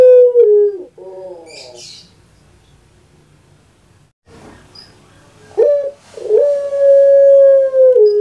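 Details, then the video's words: Well-kept puter pelung dove from Indonesia. A falling tone ends one coo and a short rough note follows. After a quiet gap, a sharp opening note leads into another long, even, sustained tone. "KURANG AJAR BENER SUARANYA BIKIN PUTER PELUNG LAIN SAKIT HATI"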